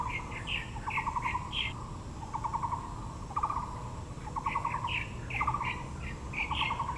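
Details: Taiwan blue magpie in Yangmingshan National Park, Taipei, among azaleas: a lively mix of fast rattling bursts and higher squeaky chirps, repeated in clusters over seven seconds, with low outdoor rumble beneath.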